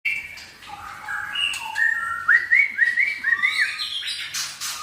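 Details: Caged white-rumped shama released to roam inside a livestock pen during feather-moult therapy, singing a run of clear whistled notes that climb into a quick series of rising slurred phrases, with a man's voice briefly heard.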